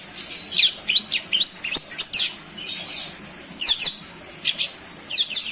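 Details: Song of a long-tailed shrike meant to teach other songbirds, mixing sharp downslurred whistles and scratchy chatter in irregular bursts with brief silences between them.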